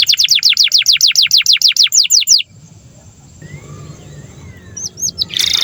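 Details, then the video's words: Canary master song for tutoring juvenile and stalled canaries: a fast series of about fifteen descending whistled notes over two seconds, followed by quiet background noise and a few soft chirps. "SUARA BURUNG Kenari GACOR PANJANG INI Cocok untuk Masteran KENARI PAUD dan Kenari Macet BUNYI"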